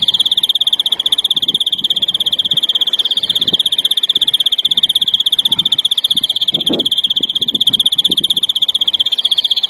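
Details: Larguero-style song of a European greenfinch, used in silvestrismo for tutoring novice young birds, 2021: one unbroken, steady, buzzy rolled trill sustained for about ten seconds at even pitch, with faint low background noise.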